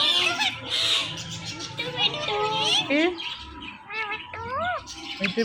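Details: Pet Indian ringneck parakeets said to talk and repeat Mittu; harsh squawking at first, then wavering word-like phrases and a few clear upswept tonal calls with strong harmonics.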